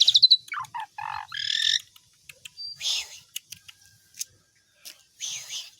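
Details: Asian pied starling singing loudly as a tutor recording for other songbirds: clear rising whistles and rapid stacked chattering notes in the first two seconds, then scattered sharp clicks and short buzzy bursts separated by pauses.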